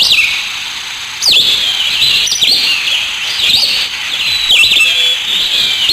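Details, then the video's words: Chorus of black sparrows outdoors. Many overlapping high twitters form a steady bright wash, with louder swooping chirps breaking in at intervals and a jump in volume after the first second. "Balck sparrow"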